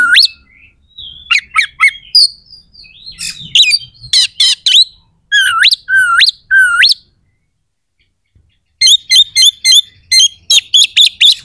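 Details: Oriental magpie-robin singing harsh, sharp fill notes to provoke rival birds during competition training. Varied chatter and rising hooked whistles, then a silent gap, then a fast even series of short sharp chips.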